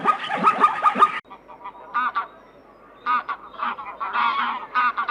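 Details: Geese honking: harsh, nasal honks with strong harmonics, a dense rapid burst of overlapping calls at first, then a short lull followed by scattered honks in quick irregular runs.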